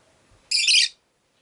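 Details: Caged Rosy-faced lovebird, one of five pet birds kept by a window, giving a single harsh, buzzy high chirp lasting about half a second, then quiet.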